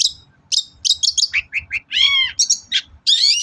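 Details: Long-tailed shrike singing, used as a lure to prompt shrikes to sing: spaced high chirps and short whistled slurs, a loud harsh buzzy note in the middle, then sharp chips.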